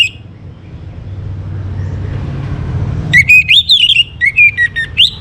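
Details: An Orange-headed thrush in morning song, used to get birds into breeding condition: after quiet with a low rumble, a lively series of whistled notes that wander up and down in quick pulses.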